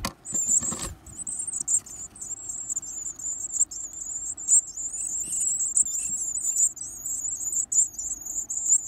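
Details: Hungry Varied tit nestlings being fed, eating heavily: a rustling thump at the start, then continuous thin, very high squeaky begging chatter that wavers in loudness without pause.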